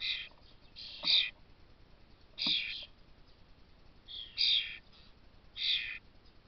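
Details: Young common starlings begging to be fed, recorded 22 May 2024: harsh, raspy hissing bursts, each about a third of a second, repeated in bouts roughly every second or so against a quiet background.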